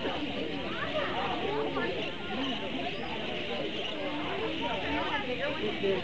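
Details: A flock of parakeets in Zoo Atlanta's walk-through aviary housing more than 500 parakeets chatters continuously with many overlapping chirps and warbles, as people's voices murmur underneath.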